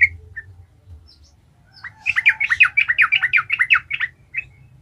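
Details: Sooty-headed bulbul 'gacor ngalas' song, used to stir other bulbuls into singing: a few isolated notes, then a steady rapid run of about a dozen chattering notes lasting two seconds.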